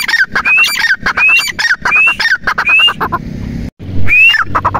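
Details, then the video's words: A grey francolin (teetar) gives loud, harsh, repeated phrases, each with a rising shrill note, about one per second, over some low background rumble. "tetar awaz | pheasant sounds"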